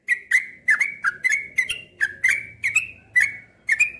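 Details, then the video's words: Cream-vented bulbul pouring out evenly spaced, slurred chirps about every third of a second, each note starting with a click and gliding slightly, in a clean, quiet setting. "suara trucukan ropel yang menyenangkan hati"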